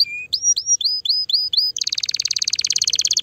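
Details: Canary singing to stimulate the female: one low whistle, six rising slurred notes, then a quick, even, rattling trill.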